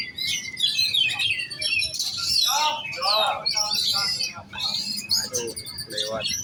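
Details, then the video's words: Young oriental magpie-robin in competition-ready form, singing a rich, fast, varied song of sharp whistles, trills and buzzy chatter, mostly high-pitched, with phrases tumbling on continuously for several seconds. "Burung kacer giras set lomba kejar on ngunci"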